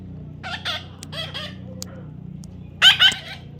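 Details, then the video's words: Young parrot during taming gives quick raspy chirps and squawks, a few clipped notes early then two loud sharp cries near the end, with low hum behind. "natural funny parrot sound"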